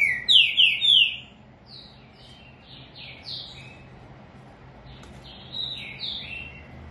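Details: Green-winged saltator opens with three loud, ringing, downslurred whistles in quick succession, followed by quieter, repeated falling whistled phrases that pick up again slightly near the end.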